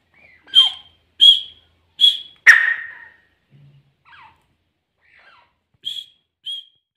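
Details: A pair of grey francolins calling: a series of sharp, clipped high notes repeated about every half second, one louder harsh burst, then softer descending notes and two more clipped calls after a pause.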